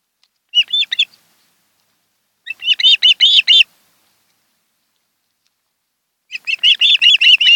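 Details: From the nest of a mated osprey pair on Kent Island, Maryland, recorded by camera on a July 2018 afternoon, three bursts of rapid whistled chirps separated by silent gaps, the last burst longest and fastest.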